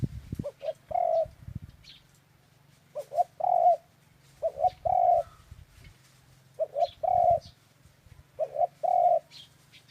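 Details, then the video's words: Clear dove cooing, double short notes trailing into a long warm coo. Several phrases come in steady succession over a quiet low hum, with occasional faint high chirps. "Tiếng chim cu chuẩn"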